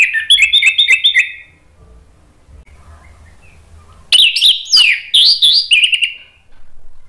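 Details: Gacor ngeplong song of an orange-headed thrush, used as therapy for birds that stop singing: quick rippling whistled notes, a pause of more than two seconds, then a longer run of sweeping, warbled phrases.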